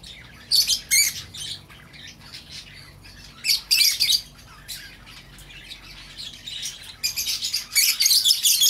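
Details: Lovebird squawks meant to lure back an escaped bird: loud, harsh, high bursts in clusters every few seconds, with softer chirps between and a dense flurry at the end.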